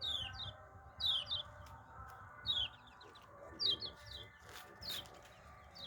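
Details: Yellow-vented bulbul, hand-raised, uttering thin, high, downward-sliding chirps, some doubled, coming about once a second over a quiet, humming background.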